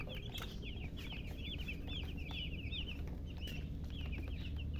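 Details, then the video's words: Baby chickens peeping in quick runs of thin, high rising chirps, clustered in bursts with short pauses between, over a continuous low-pitched droning hum and occasional clicks. "silly chicken chirping sounds"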